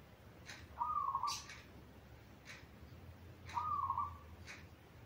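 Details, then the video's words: Zebra dove song used as a master recording to train young doves still learning to sing: soft low warbled coos in two phrases about three seconds apart over steady background hiss and faint clicks. "Kicau Burung Perkutut Yang Bisa Dibuat MAster Untuk Latihan Perkutut yang Masih Belajar Manggung"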